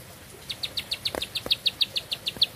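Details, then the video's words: After a short silence, a bar-winged prinia starts a quick series of high, crisp chip notes, roughly six per second, evenly spaced, with one brief knock partway through. "Nafas Panjang, Nembak Satu Lagu, Ciblek Sawah Gacor"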